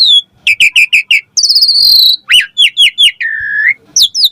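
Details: Song of a Javan pied starling, played to provoke replies and to train young starlings. It gives rapid repeated chirps, a buzzy sustained high note, then bouncing whistled notes and a steady lower whistle.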